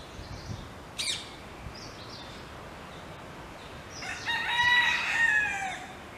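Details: Wild rooster in Hawaii whose crowing wakes up a hen: a few short clucks and a sharp call early on, then a long, loud, ringing crow of nearly two seconds near the end.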